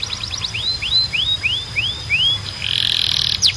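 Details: Canary training song: a run of six or seven separate rising whistled notes repeated about three times a second, then a dense buzzy high trill at the end, over a faint low hum.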